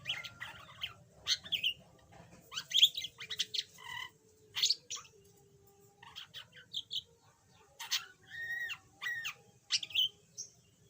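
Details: Yellow pet budgerigar, once mute and now chattering a little, giving scratchy warbled phrases with squeaky chirps and nasal stacked notes, in bursts separated by short pauses.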